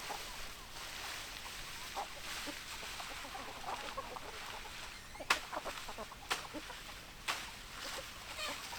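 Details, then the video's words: Domestic hens and roosters clucking: soft, irregular clucks about once a second over a steady background hiss, with a few sharp, louder broadband clicks near the end. "Chicken Sounds Noises Hens Clucking Roosters Crowing"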